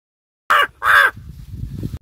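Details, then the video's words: Crow from Palghar, presented as a talking bird that speaks Marathi; two short, harsh, nasal caws in quick succession, followed by low background rumble. "बोलणारा कावळा"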